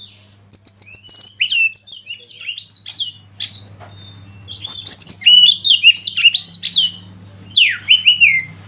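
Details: Oriental magpie-robin song used for training other birds: high, clear whistled phrases that slide downward, mixed with rapid chirps and trills in loud bursts, over a steady low hum.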